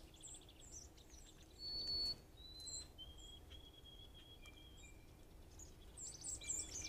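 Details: White-throated sparrows scolding a squirrel at a deck trailcam: sharp, high chips and thin drawn-out tseet whistles scattered irregularly through the clip, over a low steady rumble of background noise.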